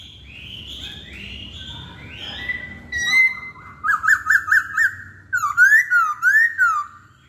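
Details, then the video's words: Hwamei, a caged songbird, singing a varied whistled song: faint sweeping notes, then a run of four short repeated phrases, then loud looping whistles rising and falling about twice a second. "Kicauan Poksay Hongkong"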